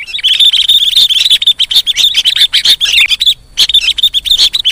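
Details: Begging calls of young sooty-headed bulbuls, mixed as a lure: rapid, piercing chirps packed into continuous bursts, a brief pause near the three-second mark, then the busy chattering resumes.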